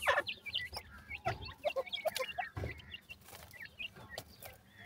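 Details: Francolin chicks kept as pet birds in summer, a busy chorus of short high peeping chirps overlapping rapidly, with occasional lower clucking notes and soft handling thumps.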